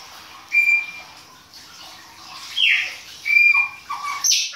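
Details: Chopi blackbird singing in winter, baianinho style: sparse, separated phrases, a few steady whistled notes, a descending buzzy slur and short low chirps, spaced out with gaps.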